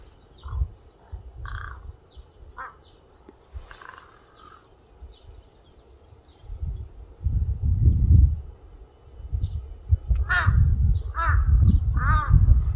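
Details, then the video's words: Crow cawing outdoors, a few scattered harsh caws early on, then a louder cluster of three or four hoarse, repeated caws near the end, over steady low rumbling background noise. "까마귀울음소리 Crow crying"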